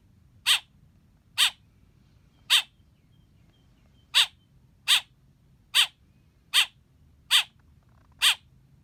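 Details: Chirping baby black bird gives nine short harsh rasping calls at uneven intervals, with a longer pause after the third call before the series resumes, over a soft low background hum.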